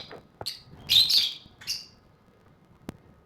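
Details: Caged lovebirds at play give a few sharp, high chirps, with a brief cluster near one second and a single chirp after. These are followed by quiet and one sharp click.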